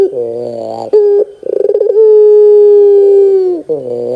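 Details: ['Lure call of a Barbary dove for coaxing young birds to reply: a pulsing, rolling phrase swells into one long, steady drawn-out coo that dips at its end.']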